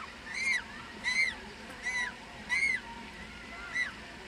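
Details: African penguin chick, a month old, begging at the nest so the parent regurgitates food: clear, arching whistled peeps rising then falling, five spaced calls in about four seconds, each with stacked overtones, against quiet background noise.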